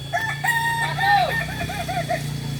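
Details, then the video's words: Kokok Balenggek rooster in a joint training session at Ampang Kualo, Solok city, West Sumatra, giving a stepped crow: a few level notes, one rising-falling arc, then a run of five short arched syllables, over a steady low hum. "Ayam kukuak balenggek"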